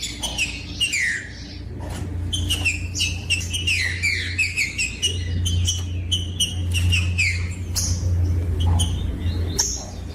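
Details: Green-winged saltator song used to excite other birds into singing: sequences of whistled, slurred notes repeating every second or two, with a constant low hum beneath.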